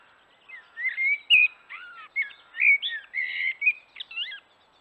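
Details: Male common blackbird singing by a forest watering hole in the morning: a run of mellow, fluty warbled phrases with quick twiddles in between, and a single sharp click early on.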